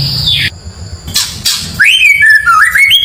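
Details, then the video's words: White-rumped shama song used as training material to provoke neighbours' birds: harsh noisy bursts, then clear, high, rising and falling whistled phrases in quick succession. "MASTERAN MURAI BATU // isian suara murai bikin emosi burung tetangga"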